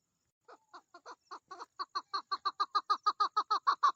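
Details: Mating-season female chukar partridge: after half a second of quiet, soft spaced clucks build steadily faster and louder into a rhythmic rasping series.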